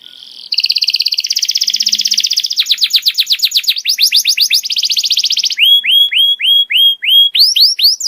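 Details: Canary master song for tutoring juvenile canaries: a fast buzzy double-toned trill, then rapid descending sweeps, then a series of clear rising-falling whistles repeated about three times a second.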